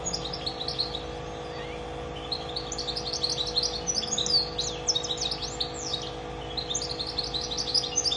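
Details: Goldfinch mule, a goldfinch and canary hybrid, singing a run of high, quick twittering notes and short tinkling phrases in bursts, over a steady low electrical hum.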